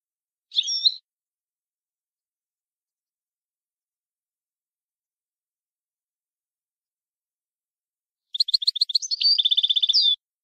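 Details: Syrian goldfinch singing: a brief high twitter, then a long pause, then a burst of rapid clipped notes that runs into a fast, even trill ending in a sharp upturned whistle. The background is silent.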